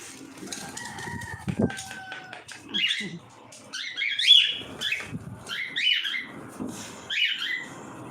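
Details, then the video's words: Cockatiels at feeding time give a run of harsh, rising-and-falling screeches, about one every second. The calls follow a few soft noises and a brief voice at the start. "FEEDING TIME COCKATIELS"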